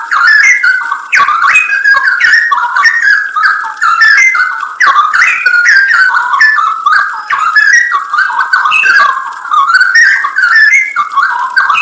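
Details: Twelve seconds of cucak rowo (straw-headed bulbul) masteran song, full isian nembak: a constant stream of mellow, gurgling whistles, slightly softer and lower in tone, with short glides and brief pauses.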